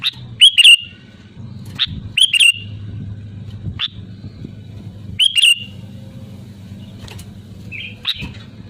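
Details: Sooty-headed bulbul calling loudly to rivals, used as a lure to prompt other bulbuls to sing: short bright chirpy phrases around three times in nine seconds, each a quick cluster of sharp notes with clicks between, over a steady low hum.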